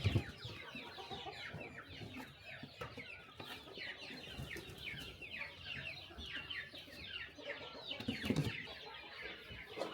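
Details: Morning feeding time for a flock of chickens on a small rural farm, with dense, continuous high chirping and cheeping from many birds over a low rustling background.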